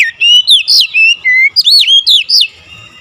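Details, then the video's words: Oriental magpie-robin singing in an agitated, fierce manner, with a quick string of eight loud, swooping whistled notes, each sharply slurred up and down, ending abruptly. "Kacer anda cepat ngamuk ngotot"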